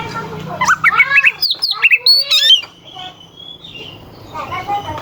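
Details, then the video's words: Oriental magpie-robin song for provoking rivals into singing: a dense run of rasping and whistled notes with sharp slurs, easing into a softer, thin drawn-out whistle and faint chatter. "Suara kacer gacor NGEPLAY KONSLET pancingan kacer ampuh bikin lawan ikut EMOSI"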